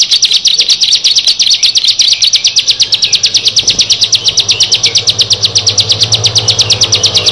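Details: Bar-winged prinia, one of six birds, delivering a long, fast, very regular train of clipped high chirps, roughly seven per second, over a low steady hum.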